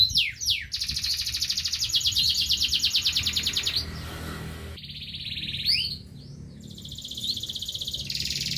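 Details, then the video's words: Local canary sings a long rolling trill lasting several seconds after a few sweeping notes, pauses amid soft background noise, then resumes with slurred notes and another trill. "KENARI LOKAL | KICAUAN KENARI"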